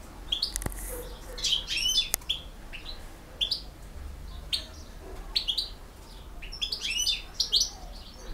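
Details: European goldfinch of the Bosnian type in the field-song style, giving a lively run of tinkling twitters, quick chirps and short buzzy notes in clustered bursts, with a couple of sharp clicks early on.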